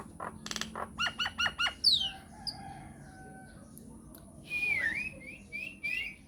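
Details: Myna calling on a lure recording intended to make other mynas answer: a run of five or six nasal, harmonic notes, a sharp descending whistle, then a drawn-out wavering whistle followed by short repeated upslurs.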